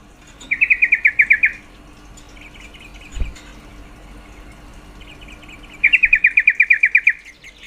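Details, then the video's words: Female yellow-vented bulbul calling to arouse males' mating drive: two fast chattering bursts of about a dozen sharp notes each, separated by several seconds of softer faint chatter and a low thump. "Suara panggilan trucuk betina sangat efektif mendongkrak birahi trucuk jantan"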